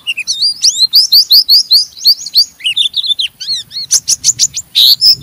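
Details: Pleci, the Oriental white-eye, in rough ngeriwik chattering used to provoke other white-eyes into singing; high rising slurred chirps repeated quickly, then sharp descending strokes and clipped notes, loud and close.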